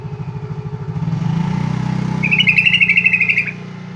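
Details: A sooty-headed bulbul's song, used as a lure to set other bulbuls singing, is a bright, bubbly chattering phrase of quick notes lasting about a second over the steady low rumble of a passing engine.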